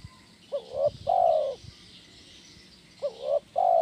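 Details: Spotted dove in kuk 1 style, recorded as therapy for training birds: a low thump, then two phrases of short rising coo, curved coo and long mellow falling coo, about 2.5 seconds apart.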